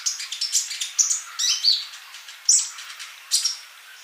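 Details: Singing male olive-backed sunbird used as a song tutor for young birds not yet singing; dense, shrill high twitters and quick whistled slurs, loud bursts about every second with sharp accented notes.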